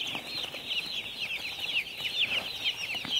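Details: Baby chicks on a farm calling constantly, quick high-pitched peeps tumbling over one another, some louder downslurred cheeps near the end.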